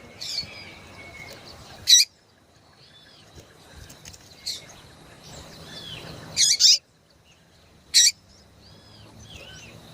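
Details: ['Female yellow-bellied seedeater calling to excite males: four loud, short, high buzzy chips, spaced irregularly about two seconds apart, with faint thin whistles and soft chirps from other birds between them.']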